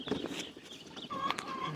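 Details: Farm hens waiting in the morning to be let out cluck in short, throaty bursts with a brief higher squawk; a man's voice and yard noise during feeding chores.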